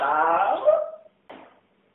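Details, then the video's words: Talking pet parrot, a female, asking after her absent friend: a drawn-out, strained speech-like phrase falling in pitch, followed by a short clipped syllable. "BEST TALKING PARROT IN THE WORLD"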